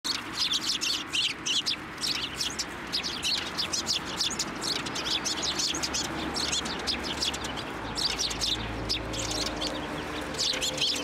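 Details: Flock of Eurasian tree sparrows at a Tenmangu shrine on 9 December 2023, flying onto a person's hand to be fed; dense, overlapping high chirps and tweets pour out almost continuously, with a low background rumble.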